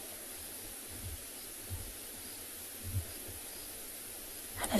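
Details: Steady broadband hiss with faint low thumps and a brief rustle at the end; no animal voice is heard.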